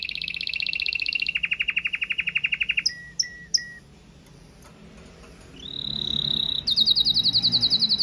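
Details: Red mosaic agate canary in powerful song: fast pulsed trills at changing pitches, a few separate chirps, a short quiet gap, then a rising whistle and a high rapid trill.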